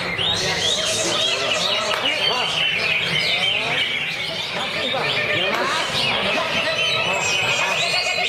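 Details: Caged greater green leafbird kept in a lovebird cage, singing nonstop in full 'ngentrok' style with filler notes; a dense, unbroken stream of quick chirps and warbled notes sliding up and down, shrill and overlapping throughout.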